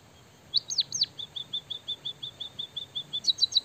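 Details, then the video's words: Active white-headed munia singing with canary-style phrases: a few high hooked chirps, then a long even string of soft short ticks, ending in a quick bright flurry of notes. "burung emprit kaji gacor isian suara kenari"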